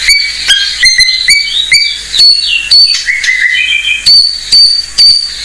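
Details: White-rumped shama of the blorok form giving lure song for untrained shamas. Brief sharp high notes repeat at irregular intervals, joined by short wavering whistles and a low warbled phrase midway.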